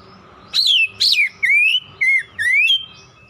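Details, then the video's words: Oriental magpie-robin whistling in a therapy track: five clean phrases about a second apart, opening with two sharp upslurred notes, then sliding and rising whistles, over a faint low hum. "TERAPI TERAMPUH KACER CEPAT NGOTOT"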